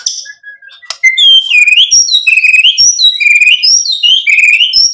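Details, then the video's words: Loud white-rumped shama song: after a short soft whistle, a steady run of bright, clear whistled notes rising and falling in quick succession, each with high overtones. "MURAI BATU GACOR MEMANCING EMOSI JADI NYAUT BUNYI BONGKAR MATERI ISIAN | PANCINGAN MURAI"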